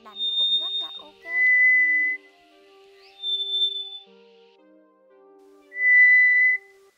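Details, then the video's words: Lure recording of Scaly thrush for night net trapping of migrating birds, 2024: sustained pure whistles alternating between a high and a lower pitch with long pauses, faint music-like tones beneath. "Tiếng Sáo Đất Lớn Bẫy Lưới Đêm Chim Di Cư"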